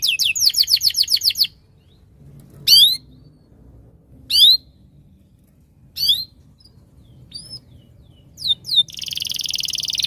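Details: Canary song: a short run of rapid down-slurred notes, then isolated sharp slurred calls every one to two seconds over quiet background, ending with a dense buzzy trill.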